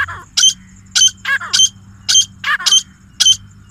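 A pair of grey francolins call together in loud, harsh, ringing notes with a whistled edge, roughly twice a second, over a faint low hum.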